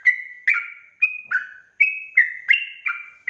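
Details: Sooty-headed bulbul singing in the rapid ropel style for luring birds; clear gliding whistles, some steady and some dropping, spaced irregularly with short pauses between them.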